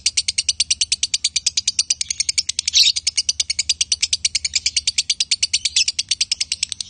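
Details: Male and female lovebirds produce continuous konslet chatter, a long fast train of high, buzzy chirps, about seven per second, with one louder sharp squeak near the middle.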